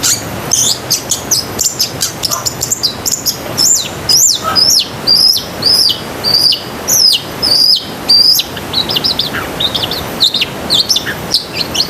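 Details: Long-tailed shrike performing a loud, filled isian sekebun song for training pet shrikes: rapid runs of high, down-slurred whistled notes repeated in fast series, then looser twittering.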